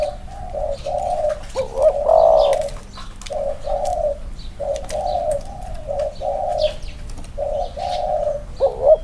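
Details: Two caged spotted dove males, one with clipped wings, set side by side to compare their cooing: low hooting coos in short bursts with swelling, wavering notes, and faint high chirps of other small birds behind.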